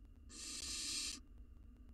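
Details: Hungry wild barn owl nestling devouring a mouse in a nest box, producing a single rasping hiss lasting about one second that swells and fades, over a quiet low hum.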